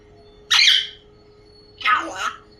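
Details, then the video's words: A pet African grey parrot imitates a crow with two harsh, raspy caws about a second apart, over a faint steady indoor hum. "crow sound"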